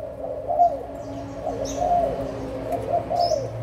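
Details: Adult spotted doves of Malaysian and Thai stock, recorded 16 March 2022: several low, soft coos overlap in a steady murmuring chorus, with faint thin chirps from other birds above.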